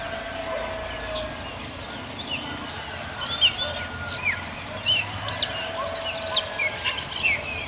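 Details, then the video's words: Purple-throated euphonia (Euphonia chlorotica), free in the wild, giving short, high, clear notes every second or so over a steady, shrill insect drone. "FIM FIM"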